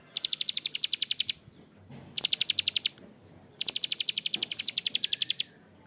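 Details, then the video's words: Bar-winged prinia in rough-voiced ngebren delivered as three bursts of fast, high clicking, each lasting one to two seconds, separated by short quiet gaps. "PRENJAK KLIK GACOR ‼️Ngebren Panjang suara kasar"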